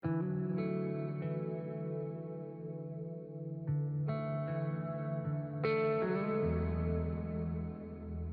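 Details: Slow ambient guitar music with echoing plucked notes and a deep bass tone near the end, no animal sounds.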